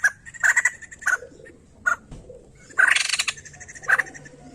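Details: White-crested laughingthrush, used to stimulate other songbirds. Short, harsh chattering bursts and single sharp notes sound at irregular intervals, with one longer rattling burst near the middle.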